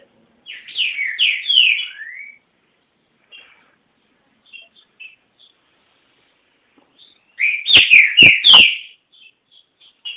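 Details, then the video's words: Kept green-winged saltator from Garça, São Paulo, Brazil, singing loud, rich whistled phrases that slur downward, a quiet gap with faint notes, then another strong phrase with sharp clicks mixed in. "TRINCA FERRO TORNADO(GARÇA-SP)"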